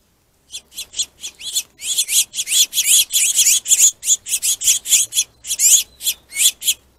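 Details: Finches fight over a plentiful food source, giving a loud, steady stream of sharp, scratchy high chirps, roughly four per second for six seconds, with no other sounds.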